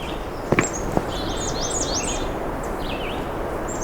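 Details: Male American Redstart sings a string of high, thin, slurred notes lasting about two seconds, faint against steady hiss, after a few sharp knocks; warm June morning on a narrow cedar- and shrub-lined trail heading to a wetland, park edge.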